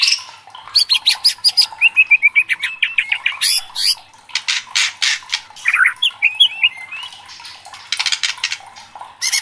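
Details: Fired-up white-rumped shama kept as a contest bird, mixing rapid chattering notes, a quick twittering run and harsh broadband bursts in an energetic varied song.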